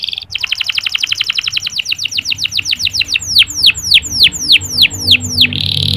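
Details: Local canary training song used to get other male canaries singing: a brisk rolling trill of rapid repeated notes gives way to a slower series of sharp, high descending whistled sweeps, with a low background hum.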